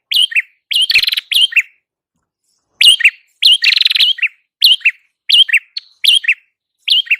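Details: Prinia, locally called red-headed prenjak, in a recording meant to lure birds: bursts of bright high chirps and upslurred notes, now and then a dense buzzy rattle, with pauses in between.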